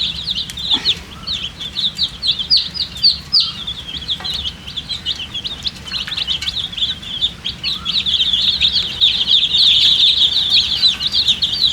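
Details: Thirsty poultry chicks, colourfully dyed, calling for drinking water: shrill piping peeps, roughly three or four a second at first, merging into a steady, unbroken high chorus in the final seconds.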